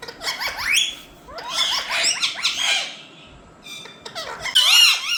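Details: Parrots indoors, apparently in India, saying "Mithu": harsh squawky syllables in short bursts with rising and falling sweeps, quiet gaps between phrases and a louder screech at the end.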